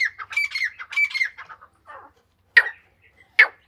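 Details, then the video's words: Female grey francolin of the Iranian type giving a cluster of rapid, squawky, overlapping notes, then a pause and two isolated harsh squeaks spaced about a second apart. "Irani Madi ke Awaz. ایرانی مادی کی آواز تیتر کی آواز"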